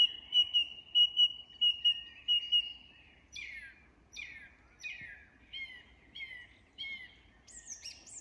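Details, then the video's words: Song thrush singing at dusk in English woodland: a clear whistled note repeated about eight times, then a run of downslurred phrases each given two or three times over, ending in a high squeaky flourish. "Recognising Bird Song - The Song Thrush & Dusk Chorus in an English Woodland"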